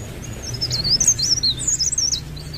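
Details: Leaf warbler, known as cikrak daun or blerengan, delivering an unbroken run of very high, thin, wavering twittering notes that rise and fall quickly, with low steady hum beneath.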